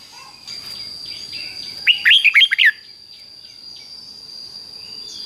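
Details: Red-whiskered Bulbul kept in a cage, its doubled song played for chicks to learn: one quick burst of five sharp, sliding whistled notes lasting under a second, with faint background birds and a constant high-pitched hum.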